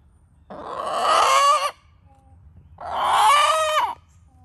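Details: Backyard hen crowing on a New England homestead in July, morning: two hoarse, drawn-out crowing calls about a second long each, separated by a short pause, with faint background hum.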